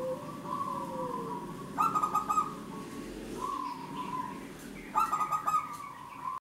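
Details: Rolling pulsed coo phrases from a local zebra dove used to coax other birds into song, two bursts about three seconds apart, separated by level whistled tones over a constant low hum.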